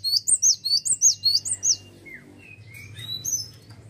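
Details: Cinereous tit singing vigorously: about nine high, sharp two-part notes repeated quickly, followed by thin sliding whistles over low background hum.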